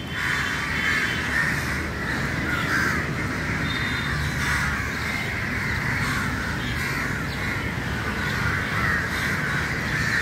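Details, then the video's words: Crowd of crows meeting in the early morning, loud grating caws repeated in an unbroken overlapping chorus with steady low hum beneath. "Very Important Meeting And Corum Of Crow Early Morning"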